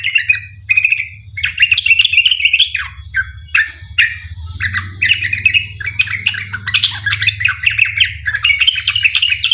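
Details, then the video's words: Sooty-headed bulbul giving long, rapid 'ropel panjang' song as a lure for other bulbuls. Dense, busy chattering phrases run almost continuously over a steady low hum. "Trucuk gacor ROPEL PANJANG buat pancingan trucukan agar bunyi"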